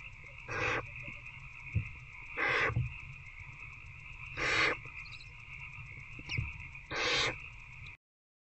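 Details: Barn owl adult and older owlet in a nest box, night of 19 February 2024, during a feeding; four short harsh hisses at irregular intervals of roughly one to two seconds, over steady background hum and scattered taps.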